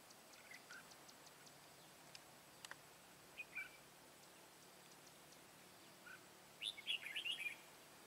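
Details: Decoy red-whiskered bulbul, white-cheeked type, at a trapping session on 1 September 2017. Sparse soft ticks and brief chirps lead to a closing flurry of quick, high whistled notes.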